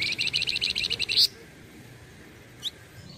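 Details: Flamboyan bird singing as a tutor song for training white-rumped shamas: a rapid run of about ten bright, high chirps over a second, ending in a sharper rising note, then a lone chirp after a pause, over a faint low hum.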